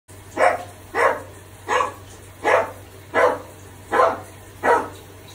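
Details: A macaw that learned dog barking in the park imitates a dog while showering, giving seven hoarse, barking notes about every three-quarters of a second over a faint steady low hum.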